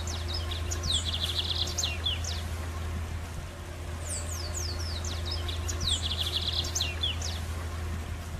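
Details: A Lined Seedeater singing free in the wild, with a song a little different from the usual for the species: two bright, rapid phrases of high twittering notes and buzzy trills, separated by a short pause, over a steady low rumble.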